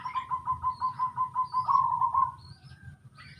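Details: Native local zebra dove singing in the 'sungsung' style: a quick string of soft mid-pitched staccato notes running into a longer rolling coo, with faint high chirps of other birds and a low background rumble.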